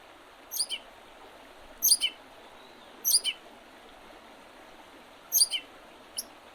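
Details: Wild bird singing in spring by the Oredezh River, Leningrad Oblast, Russia, on 8 April 2023: very high, thin double notes that slide downward, repeated about every 1.3 seconds over a soft, steady background hiss.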